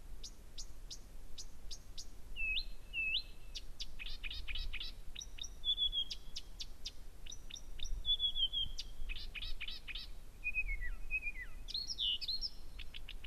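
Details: Blyth's reed warbler singing constantly and very loudly at 1 a.m. on 15 June 2014 at Gerå Engvej. The slow, varied song mixes sharp clicks and ticks with short whistled and trilled phrases, each motif repeated two or three times, over a low background rumble.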